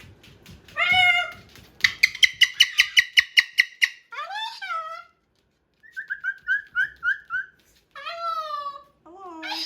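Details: Pet Moluccan cockatoo, indoors and playing with a new box and toy truck, gives a quick run of about ten sharp repeated squawks, then rising and falling tonal cries and short clipped notes.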